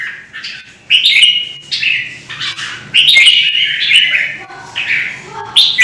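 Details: Red-whiskered bulbul singing competitively to rouse rivals in Vietnam: bursts of liquid, fluty warbling, each phrase rising then dropping, separated by brief gaps, with faint softer calls and clicks in the background.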